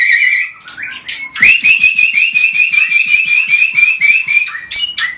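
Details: Excited white-rumped shama song, non-stop and provocative: a high trilled whistle held for several seconds with fast even pulsing, set between short, bright chirped phrases.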